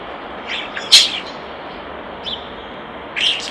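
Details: Near a nest box, a common starling gives brief high whistles, a sharp click near the start and a short burst of squeaky notes at the end, against constant background hiss.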